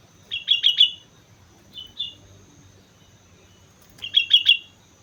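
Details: Lively sooty-headed bulbul song from Mount Slamet: a fast run of four bright, high chirps, two separate single notes, then another four-note run after a short silence; calm, quiet surroundings.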